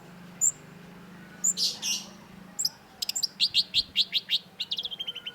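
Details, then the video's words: Vigorous cendet song meant to make a stalled long-tailed shrike sing: a few isolated high pips and two rough bursts, then a rapid even rattle of sharp notes about eight per second. "cendet gacor LANGSUNG GACOR !! PANCINGAN CENDET MACET || Long-tailed Shrike"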